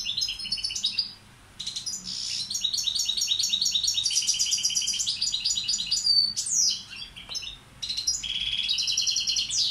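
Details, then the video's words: Balkan goldfinch (Carduelis carduelis balcanica) tutor bird singing a dense, high, rapid twittering song of buzzy trills and tinkling notes, delivered in long rounds broken by brief pauses near one second and again near seven seconds. "Carduelis balcanica učitelj... Izbrojite mu ture"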